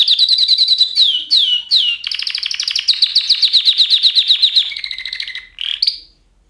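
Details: Canary singing a rapid series of repeated chirps, sweeping slurred notes, then a long fast trill and lower whistled notes ending in an upslurred chirp.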